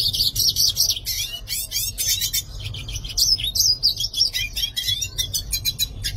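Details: Yellow-faced siskin singing a long, fast twittering song of high whistled slurs and rapid buzzy trills, notes sweeping up and down almost without pause over a faint low hum.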